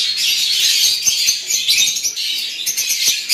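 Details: Caged lovebirds kept for breeding, amid feather plucking and fighting problems in summer; dense shrill chattering and squeaky calls overlap continuously, with a few soft knocks.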